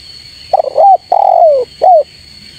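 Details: Spotted dove call used to lure rival birds: three loud, low cooing phrases, the first broken and stuttering, the middle one long and sliding downward, and the last a short rising-then-falling coo, with a steady high electronic tone behind.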